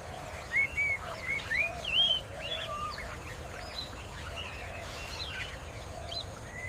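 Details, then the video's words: Male Pheasant-tailed Jacana patrolling his territory across floating marsh vegetation, protecting future offspring, gives a run of high, mewing whistles that rise and bend over two seconds, then fainter answering notes amid soft marsh background. "The distinctive call of the jacana rings out across the marsh. A vigilant father protecting his territory and future offspring."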